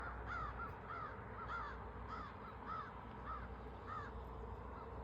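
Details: Crow chasing off a hawk, filmed from a front porch with a phone: a steady series of harsh, arched caws, about eight in five seconds, over a constant low rumbling hum.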